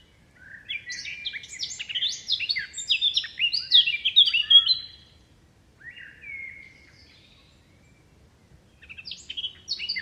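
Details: Wild bird chirping amid wind-blown leaves: a dense burst of rapid, high, sharp chirps for about four seconds, a lone thin whistle, a pause, then another short flurry.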